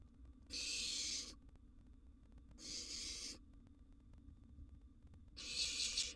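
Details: At mealtime in a wild nest box, a barn owl nestling with a sizeable gerbil makes three separate harsh hissing bursts, each near a second long, spaced by quiet stretches with faint background hum.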